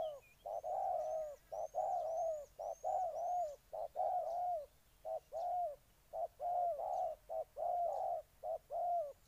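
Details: A spotted dove in Ninh Thuận, Vietnam, sings a long sequence of mellow, low coos in uneven short-long groupings, roughly once per second. High faint whistles repeat at the start.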